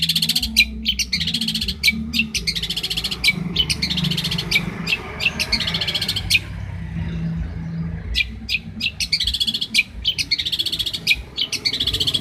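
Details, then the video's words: Champion long-tailed shrike singing as a training master: high rattling bursts and sharp clicks in rapid clusters, a short quieter pause midway, then the chatter resumes, with low hum throughout. "MASTERAN CENDET JUARA"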